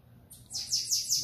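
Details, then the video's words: Bananaquit singing in the Belga style: a short burst of four or five very high, thin, descending slurred notes delivered rapidly, over faint low background hum. "Sibite PIKACHU Cantando Belga"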